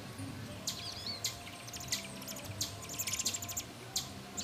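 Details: American robin chicks in a satellite-dish nest by a screened porch, calling as they are fed: sharp high chirps in clusters, growing busier toward the end, over low background hum.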